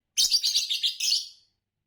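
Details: Green Fischer's lovebird chirping: one burst of about a second of rapid, harsh, high-pitched chirps run together, then silence.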